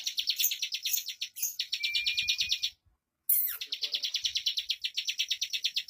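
Bar-winged prinia pouring out a fast, dense song of high, sharp chirping notes, about three per second, broken once by a short silence.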